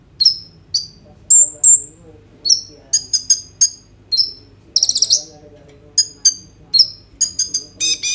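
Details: Kolibri ninja, a sunbird, in energetic song full of inserted phrases, used as a lure so other birds start singing, phone recording: crisp high chirps, whistled doublets, short rattles and buzzy trills.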